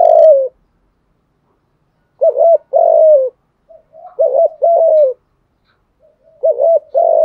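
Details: Spotted dove coos played as a lure for wild doves: short groups of low hoarse notes, a quick two-part coo followed by a longer drawn-out falling one, separated by silent pauses of one to two seconds.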